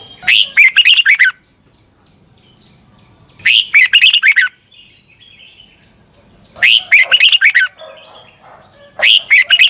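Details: Red-whiskered bulbul in morning song training with a 'ché căng lửa' double-twisted voice, recorded as a lure for training birds. Four loud bursts of fast chattering whistles, about three seconds apart, separated by quiet and an ongoing high-pitched hum.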